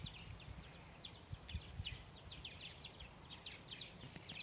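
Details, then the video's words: A swallow at Cedar Point, North Carolina, gives a quick, chattering twitter of short, high chirps, several each second, over a steady low rumble of background noise. "Swallow Song"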